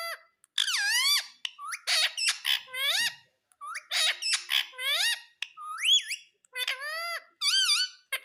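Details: Green parrot kept as a pet, talking: a string of harmonic, speech-like squawks and whistled phrases with rising and falling contours, delivered in short bursts separated by brief pauses.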